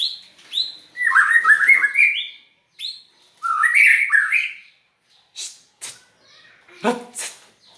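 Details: White-rumped shama, a strange-sounding song: varied whistled and warbled phrases, rising and falling runs and slurred notes, broken by brief pauses and a few sharp clicks near the end.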